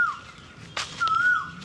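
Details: An Asian koel gives a clear, fluting whistled note that holds steady, then slides down at the end, in a crowded spring palash (flame-of-the-forest) grove in bloom at Belur, Howrah, West Bengal.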